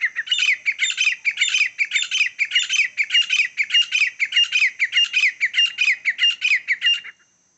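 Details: Grey francolin, wild, calling during a fight: a loud, harsh, rapidly repeated phrase of clipped squawking notes, about 98 per minute, each rising then dipping, running steadily for seven seconds before stopping.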